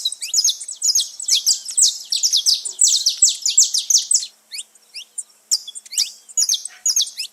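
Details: Saffron finches at liberty in nature, a lively gathering: a dense run of bright, high chirps for about four seconds, a short lull with thin single notes, then renewed bursts of twittering.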